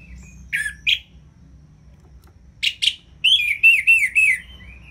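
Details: Orange-headed thrush singing ngeplong to get idle birds singing: scattered harsh notes, then a smooth wavering run of looping whistles trailing off into a soft note.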